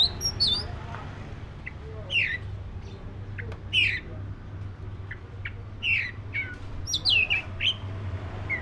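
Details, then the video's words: Black-breasted Oriental magpie-robin singing in scattered bursts: harsh upslurred notes, clicks and quick whistled flourishes, irregularly spaced, over a low steady hum. "SUARA BURUNG KACER (DADA HITAM)"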